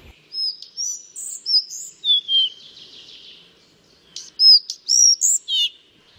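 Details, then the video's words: A rare Collared Flycatcher, heard and seen on an early-morning walk at Oude Willem, Drenthe, after mist lifted, sings two short high phrases of thin squeaky notes and slurred whistles ("tjiet tjiet prup prup"), separated by about 1.5 seconds. "Ja, hij is heel anders dan de gewone bontvliegenvanger. Hij doet tjiet tjiet tjiet prup prup tjiet tjiet tjiet tjiet."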